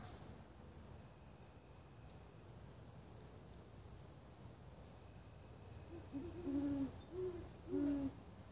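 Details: Great horned owl giving a few low, soft hoots near the end, short muffled notes in a brief uneven run, over a steady high-pitched insect drone throughout.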